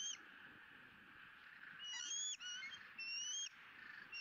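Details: Bald eagle eaglet squealing with joy while fed its second fish of the day, Southwest Florida eagle cam, April 2017: after a quiet start, a burst of high, thin, upward-sliding squeals, then a second series, over steady hiss.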